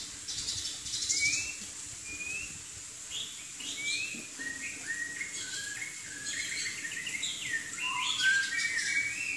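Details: Chinese hwamei, a southern Chinese songbird, singing a varied string of short whistled slurred notes, rising and falling, spaced irregularly over steady background hiss.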